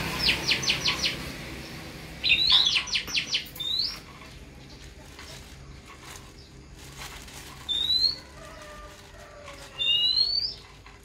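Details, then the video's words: Oriental magpie-robin raised from young, delivering rapid bursts of short high chirps followed by sharp rising whistles, phrases separated by quiet gaps, with faint clicks in the background. "Chòe than nuôi từ nhỏ"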